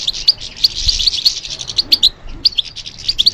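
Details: European goldfinch singing in response to stimulation: rapid, high tinkling twitter of short bright notes and sharp chirps, tumbling with few pauses over a quiet background.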